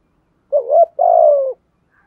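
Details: Spotted dove lure recording in the thúc gù and gáy gọi calling styles, used to stir wild doves: a short low coo followed by a longer, smooth, slightly falling coo against a silent background.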